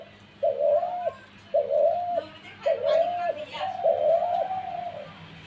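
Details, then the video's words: Dove calling: soft low coos, each about half a second long and gently rising then level, given four times in quick succession over a faint steady background hum. "ঘুঘু পাখির ডাক"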